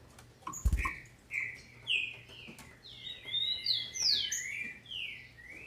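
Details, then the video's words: Green-winged saltator female, captive in Brazil, whose calls are meant to excite males: a knock, then spaced slurred whistles building into a dense run of falling notes, some overlapping. "FÊMEA DE TRINCA FERRO para ENLOUQUECER seus trincas"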